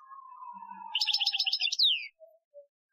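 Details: A European goldfinch sings an Algerian-style training song (2015): a quick, tinkling twitter of high notes ending in a falling slurred note, over a faint, steady, lower tone that slowly drops in pitch.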